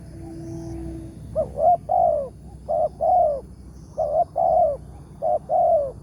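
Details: Spotted dove, a wild target with a big 'tarik akar' voice caught by luring in the morning: three rhythmic coo phrases about a second apart, each a short stuttered pair then a fuller descending coo, steady low hum underneath.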